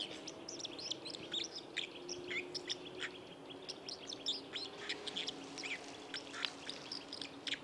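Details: White-throated dipper singing by the Lieser river in Wittlich, Germany, in 2019: a dense, fast medley of high, scratchy chirps and twittering notes delivered almost continuously, with a steady low rush of flowing river water beneath.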